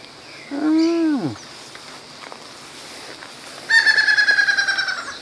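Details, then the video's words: Laughing falcon (acauã), perched in shade on a branch near a vulture, gives a drawn-out rising-then-falling nasal note, then a rapid burst of about a dozen loud, harsh, pulsed notes, over a quiet outdoor background. "Esse é o Acauã que tá cantando, gente."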